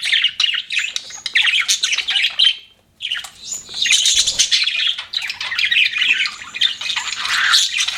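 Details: Budgies kept as pets give rapid, raspy chirps and twittering warbles, a short silent gap near the middle, then steady busy chatter resumes to the end.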